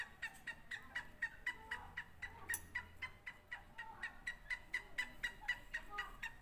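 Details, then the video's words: Sindhi and Punjabi francolins calling against each other: rapid, crisp notes in a fast steady run, about four per second, with a low hum briefly in the background. "سندھی اور پنجابی تیتر کا مقابلہ"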